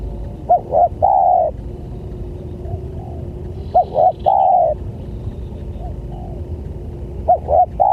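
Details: Spotted dove lure call for drawing in other doves, with three phrases about every three seconds, each two quick short coos then a drawn-out level coo. Faint softer coos sound in the gaps.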